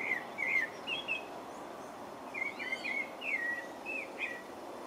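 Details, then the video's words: Pale-breasted thrush singing in French Guiana, giving scattered whistled, slurred notes in short bursts with a pause mid-phrase, then a faster cluster of warbled notes, another high thin bird call faintly behind. "Pale-breasted thrush (Turdus leucomelas) - singing"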